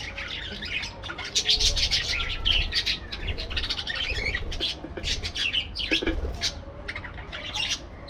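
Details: A flock of parakeets keeps up lively chatter: quick clusters of bright chirps and harsh squawks, several per second, rising and falling in loudness, with a low rumble beneath.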